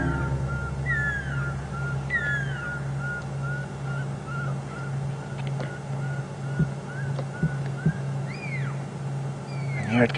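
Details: Pearl-spotted owlet singing in the evening at Djuma Game Reserve, 9 July 2015: a long series of short, clear whistles with occasional slurred, falling notes, another owlet also calling, a safari vehicle engine idling low beneath, a few clicks.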